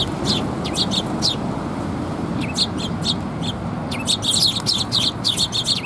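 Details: Several sparrows arriving for food at a Tenmangu shrine, 8 October 2021, giving dense bursts of sharp high chirps, overlapping and rapid toward the end, above a constant low traffic hum.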